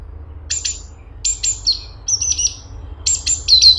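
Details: Straw-headed bulbul (cungkok) singing energetically: four bursts of high, thin downslurred whistles with short buzzy notes, spaced roughly every second, over a faint low hum.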